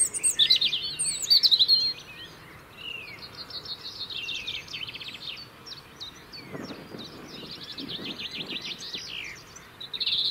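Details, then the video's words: Year-round UK robin song for winter territory: loud high jumbled phrases opening, then a quieter stretch of rapid tinkling trills and zigzag notes, with some low thuds midway and song resuming at the end. "Beautiful song of Robins"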